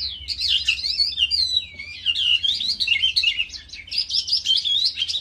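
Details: Skylark, known locally as dzhurbay, singing in a ravine: a continuous high, rapid warble of twittering and trilled notes, shifting up and down without pause, with a faint low hum underneath.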